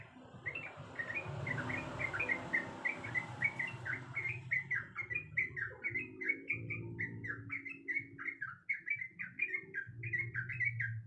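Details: Female sooty-headed bulbul in breeding condition calling the male: a long run of short, bubbly chattering notes at mid-high pitch, several per second, over a steady low hum.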